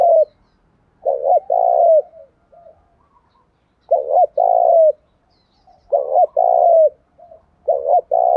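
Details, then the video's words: Spotted dove cooing to lure wild doves: low, soft coo phrases of two or three notes, each followed by a quiet short note. Phrases repeat roughly every two seconds against a silent background. "Cu gáy Thúc Gù kích bổi nhanh nổi"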